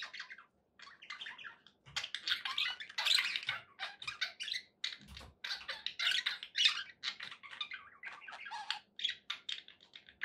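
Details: Pet budgerigars calling indoors with a long run of scratchy chirps and squawks in uneven bursts, softer at the start and busier later.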